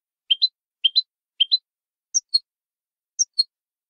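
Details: Canary in malagueño song style, recorded for training: three paired upslurred chirps at steady intervals, followed by two higher, sharper double notes spaced about a second apart. The background is silent.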